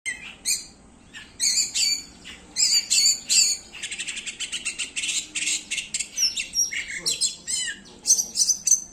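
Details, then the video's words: Oriental magpie-robin singing a varied, lively song in the konslet style: sharp high whistles, a fast buzzy rattling trill, then slurred descending whistled notes and clear piping phrases. "Kacer konslet"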